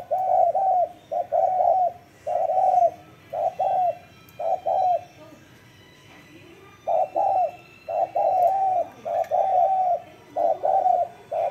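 A spotted dove gives soft, mellow cooing notes in quick bursts, phrase after phrase with a short pause midway. Faint background hiss only.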